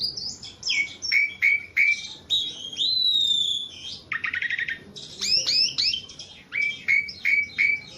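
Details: Javan pied starling, tame and singing freely, repeating sharp downslurred whistles in series, a long clear falling whistle, a buzzy rattling burst midway, then more ringing slurred notes.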